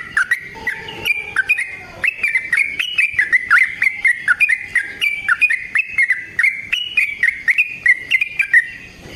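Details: Yellow-vented bulbul delivering a long fighting song for luring and training: continuous bubbling, warbled whistles that step up and down in pitch, punctuated by crisp clicks nearly every half second.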